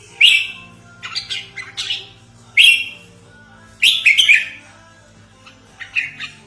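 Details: Red-whiskered bulbul lure call for trapping and as a training model: short harsh, chirpy bursts, some double, spaced irregularly about a second apart, over a faint steady low hum.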